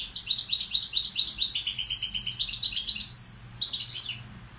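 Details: Balcanica goldfinch acting as a tutor bird pours out a rapid, even stream of high tinkling chirps, swelling into a dense trill before tapering off with a few scattered notes.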